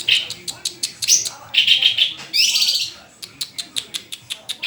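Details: White-rumped shama singing persistently: loud bursts of rapid, repeated high notes, a harsh buzzy rattle in the middle, then a series of short, evenly spaced sharp chips.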